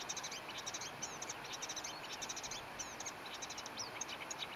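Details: Marsh warbler singing at night at 22:00 on 9 June 2015 in Briollay, Maine-et-Loire, France: a rapid, continuous chatter of high chirps, trills and buzzy notes, busy and mimic-like, over a steady faint background hiss.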